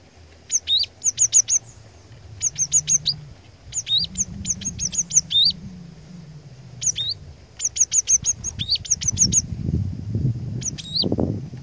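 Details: Cinereous tit (glatik batu) singing as a lure bird to provoke rivals: high, sharp two-part notes in rapid bursts of three to five, with short pauses between phrases and a low rumble underneath.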